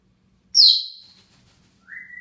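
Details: Grey parrot whistling on a morning in June 2016 from atop its cage indoors: one sharp, high, downward-sliding whistle fading out, then after a pause a softer, level, rising whistle.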